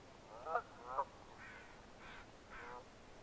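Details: Red-breasted merganser with two sharp nasal notes in quick succession, then three fainter, drawn-out buzzy calls in rapid sequence against low background hiss.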